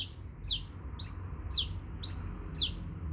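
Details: A sunbird gives thin, piercing notes that drop quickly in pitch, evenly spaced roughly every half second, over a quiet low rumble.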